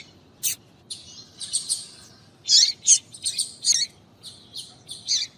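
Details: Female Double-collared seedeater calling to excite males: short, high chirps and chattering notes in irregular bursts, with a few sharp single notes between them and quiet pauses.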